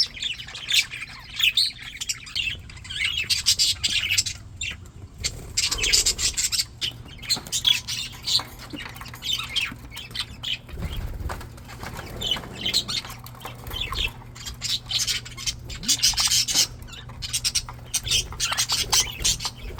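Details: A content flock of English budgies in an aviary on a spring day chatters nonstop with scratchy warbles, chirps and sharp squawks over a faint low hum.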